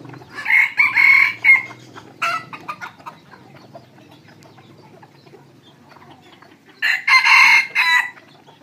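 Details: Evening at a decoy-rooster site for attracting wild red junglefowl: two loud, hoarse crows of about a second each, one near the start and one near the end, separated by quiet rustling and faint small-bird notes.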